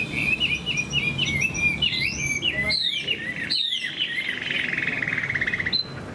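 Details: Chinese hwamei in moult, big and handsome, singing a high song: a rapid run of bright whistled notes climbing and dipping, several sweeping upslurs, then a long buzzy sustained phrase ending in one clear note.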